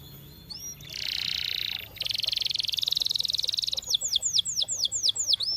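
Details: Trained canary song: a rolling buzzy tour, a pause, then a longer, very fast, even buzz-trill, followed by a string of clear, looping downslurred whistles.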